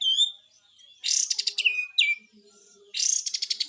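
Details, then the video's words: Cream-vented bulbul, locally kapas tembak, singing hard: a whistled slur, then a harsh pulsing rattle, sharp downslurred notes, and another burst of rapid buzzy pulses. "SUARA BESETAN KAPAS TEMBAK ‼️ GACOR ‼️"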